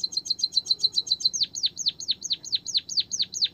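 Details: White-headed munia, original voice used as a training recording to prompt a reluctant bird into full song: a quick run of high twittering notes, then evenly spaced falling whistled strokes about three per second, against a quiet background.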